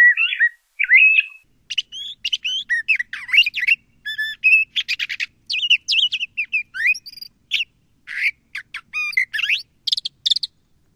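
LeConte's thrasher singing a long, varied string of short whistled and buzzy phrases, rising and falling, delivered rapidly with brief pauses between notes; no other sounds.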